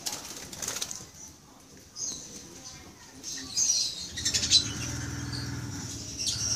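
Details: Eye-ring African lovebirds (Agapornis) in a mini aviary in the Philippines, May 17, 2015: scattered sharp, high squeaky chirps, denser and louder in the middle, with a low mechanical hum in the background.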